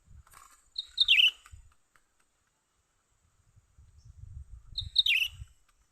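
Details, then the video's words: Bulbul known locally as cucak ranting, young bird, heard during trapping: two bright chirped phrases sliding downward, four seconds apart, over low rumbling handling noise. "memikat burung cucak ranting muda mantap"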